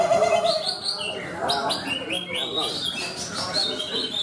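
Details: A Greater green leafbird sings at a songbird exhibition and contest in Malinau, North Kalimantan, Indonesia, on 6 February 2022, where it won four classes: rapid, varied whistled sweeps and chattering phrases, rising and falling, over a steady murmur of a talking crowd.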